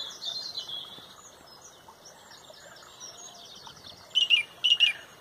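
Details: At sunrise in Pontrobert a loud song thrush leads the dawn chorus; soft twittering of other birds fills the start, then a sharp phrase is sung twice in quick succession.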